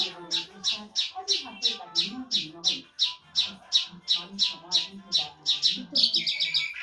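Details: Lark singing in the Iranian Mashadi jal style: a fast, steady run of short, bright chirped notes, about three per second, that ends in a quicker, rising burst of notes.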